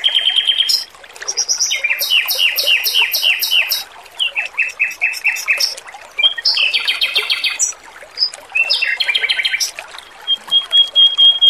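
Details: Male red-billed leiothrix in full song, recorded for training other birds. Rhythmic runs of loud slurred notes with high ringing overtones alternate with buzzy rattles and chatter, ending in a thin sustained whistle.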